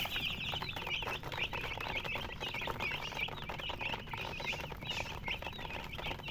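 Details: Baby chicks giving busy overlapping high chirps, short falling and rising peeps in a continuous chatter, with a faint low hum throughout.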